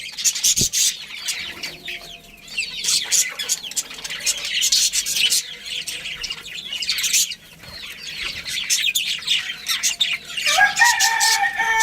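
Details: Budgerigar colony with a breeding pair kept at home, many birds chirping at once in a dense, restless warble of quick twittering notes, with a faint sustained tone near the end.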